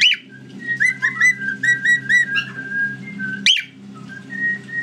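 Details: Male pet cockatiel from Norway, calling while watching other cockatiels, gives a run of clear, bouncing whistled notes between two sharp, rising screechy chirps.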